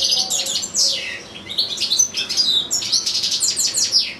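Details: Caged European goldfinch performing a lengthy recital, with goldfinch-canary hybrids nearby; dense run of high, scratchy twitters, descending slurred notes and liquid trills flowing continuously.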